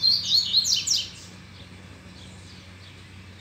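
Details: Double-collared seedeater worked up by a female, delivering a single second of quick high whistles and falling buzzy slurs before near silence.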